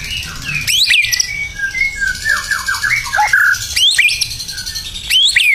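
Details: Burung batu singing hard in gacor style: sharp upswept squeaks, a run of quick descending whistled slurs, and loud scratchy high squawks at intervals.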